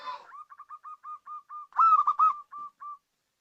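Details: Local zebra dove calling as a lure. A rapid string of short, clipped cooing notes on one pitch, then a louder rolling coo phrase, then more short notes tapering off.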